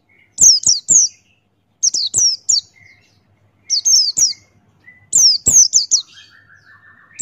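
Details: Male White-eye of the Buxtoni type singing in the Ngalas style with open beak, used as a tutor recording: bursts of three to four high, sharply down-slurred whistled notes, repeated every one to two seconds, with soft lower chirps between.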